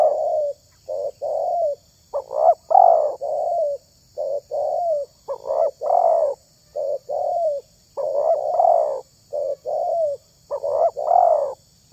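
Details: Tekukur, or spotted dove, voice prized for luring wild birds: an almost unbroken run of soft, hollow coos grouped into short two- and three-note phrases, some notes slightly rising at the end.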